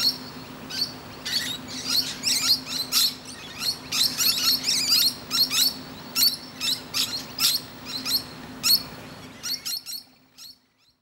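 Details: Musk lorikeet perched in a tree, chatting to other birds: dense run of rapid, shrill, scratchy screeches, nearly two a second, tapering to a few sparse notes before falling silent.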